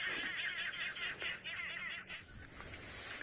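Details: Babblers singing in the afternoon on an African safari: a harsh, cackling chorus of rapid, repeated notes that sound almost like laughter.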